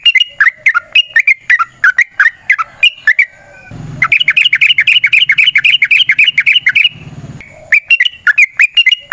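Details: Sooty-headed bulbul in ropel variasi style, used as a lure for other bulbuls: quick jerky chirps, then an extended dense rattling trill, then a return to the choppy chirping phrases.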